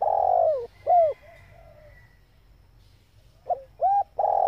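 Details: Female spotted dove calling to excite and lure males, giving mellow low coos in short phrases with gaps between them.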